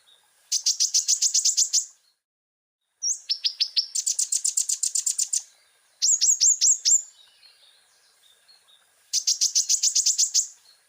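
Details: Common iora singing energetically with varied filler phrases: four bursts of rapid, high, ticking trills separated by short silences, one burst opening with a sharp upslurred note and another made of downward-sweeping notes.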